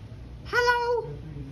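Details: A pet Sulphur-crested Cockatoo in a pet shop in Richfield, Minnesota, gives one half-second voiced note, steady and mid-pitched with a nasal, almost word-like tone, amid talk of "pretty bird", against quiet indoor room noise.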